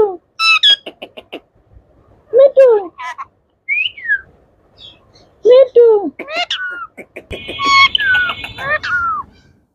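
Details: Pet Indian ringneck parrots of yellow, blue and green colours talking and whistling indoors: clipped speech-like syllables, bent whistled notes rising and falling, and a brief buzzy harsh sound near the end.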